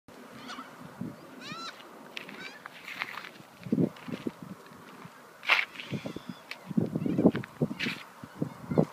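Corella giving harsh, grating screeches and squawks in scattered bursts, with low thumping and rumbling noise close by.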